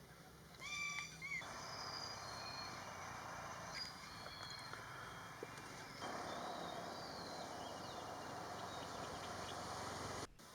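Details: A peafowl in a mangrove area of Pranburi Forest Park, Thailand, gives one loud, brassy, nasal wail. It is introduced there, a peacock or peahen that looked like a green peafowl. Faint high small-bird chirps and a distant traffic-like rumble follow.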